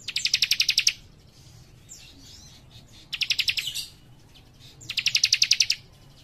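A small warbler sings bright, high, rapid trills of about ten evenly spaced notes, each burst under a second long, repeating roughly every two seconds.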